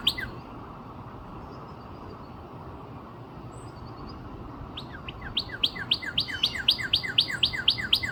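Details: Northern cardinal singing near Nashville, Tennessee, April 17, 2026: after a few seconds of near quiet with faint distant notes, a steady fast series of bright, sharply falling whistled notes starts and keeps repeating about four times a second to the end.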